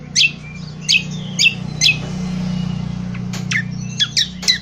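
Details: Indonesian honeyeater, rough twittering ngriwik kasar song used for training birds: loud, sharp high chirps about every half second, a pause filled by a steady low hum, then quicker clipped chirps.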